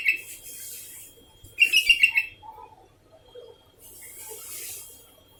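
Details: Sooty-headed bulbul calling continuously: a quick bright run of four or five chirping notes near the middle, with a clipped phrase at the start, faint hiss between phrases and a thin steady electronic tone throughout.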